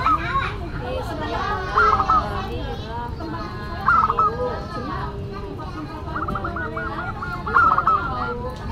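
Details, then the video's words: Local zebra dove singing actively in a classic, unusual style: four stepped cooing phrases about two seconds apart, one drawn into a long rolling series of repeated notes, with background murmur and other soft sounds. "Perkutut Lokal Gacor Suara KLASIK Dan UNIK"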